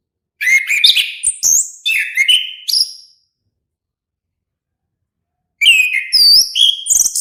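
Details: Orange-headed thrush song: quick, varied phrases of sweet whistles mixed with short high chirps and rising slurs, a run lasting nearly three seconds, then a pause before another bright burst; no other sounds.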